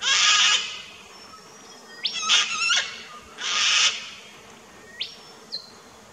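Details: In an Australian backyard on 21 September 2019, a sulphur-crested cockatoo gives three boisterous, harsh, raspy screeches about every one and a half seconds. Thin rising whistles from another bird come between them.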